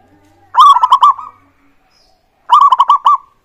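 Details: Local zebra dove singing strongly, kept as a lure to prompt other birds to sing: two loud phrases of rapid, bubbling coos, each lasting under a second, about two seconds apart in a quiet setting.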